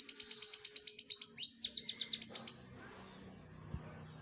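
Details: Indonesian canary finch delivering a quick run of bright, evenly spaced high chirps, then a slightly lower burst of rolling notes that breaks into another short trill before the song stops, leaving faint background noise and a single click.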